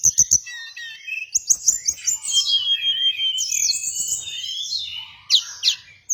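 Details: Hill blue flycatcher lure and training song. Several sharp ticks open into long, rich, high warbled phrases with rapid slurred whistles, ending with a few more clicks.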